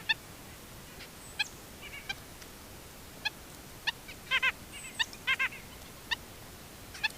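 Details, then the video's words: In Upstate New York, on a trail camera, a red-bellied woodpecker gives short, rolling churred notes in pairs while very vocal nuthatches add scattered nasal, tooting calls over seeds on the ground, against a quiet hiss. "Red bellied woodpecker and nuthatches making noise"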